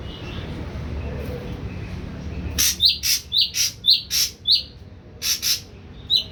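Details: Caged young Ashy drongo, on pellet feed for three weeks and starting to sing: after a quiet start, a fast series of short, high, slurred chirps mixed with sharp clicks.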